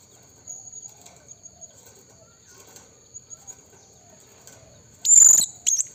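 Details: Blue-crowned hanging parrot calling to lure wild rivals: after a quiet stretch with a steady thin high tone, two sharp, shrill, high-pitched bursts, the first about half a second long and a shorter one just after.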